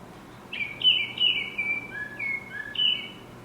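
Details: Baltimore oriole (Icterus galbula) song: a short run of clear, rich whistled notes, some slurred and falling, in about five phrases over three seconds against a quiet background.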